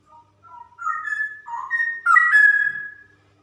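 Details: Female straw-headed bulbul in ropel song: a continuous, loud, liquid warble of rising and falling whistled notes, rich and gurgling, climaxing in a bright, ringing phrase before fading.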